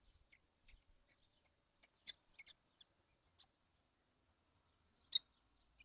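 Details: Kestrels, seven of them crowded into a nesting box on a hot June day in 2025; scattered thin, high rasping chips, a few louder squeaks standing out against near silence.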